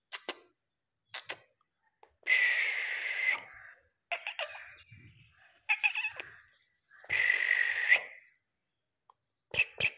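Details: Black francolin call used to draw francolins in quickly and excite them: harsh, grating buzzy phrases of about a second, two long ones, separated by short sharp clicks and ticks in a quiet room-like setting.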